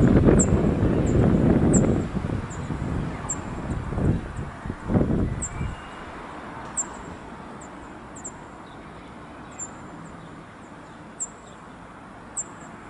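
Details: Cirl bunting at the Château de Saumur, France, in somewhat windy weather: thin, very high, short notes repeated about every second, with heavy wind rumble filling the first half before it drops away.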